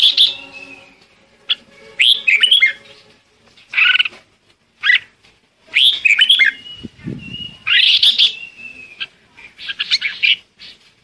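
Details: Red-whiskered bulbul giving flock calls: varied warbling phrases mixed with a sustained thin whistle, repeated in bursts, with a faint low humming tone in the background and a brief low thud.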